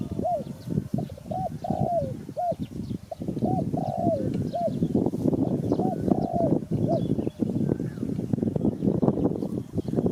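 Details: Spotted dove calling: a run of short hooked coos, each rising then falling, repeated about every half second to second, over constant broadband low rumbling noise.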